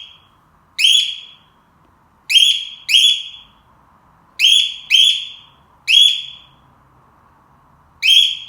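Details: Cockatiel kept at home, serving as a household alarm: loud, shrill whistled screeches with strong harmonics, each starting with a rising note and then trailing off. Seven calls come at irregular intervals, some in close pairs, over a faint background hum.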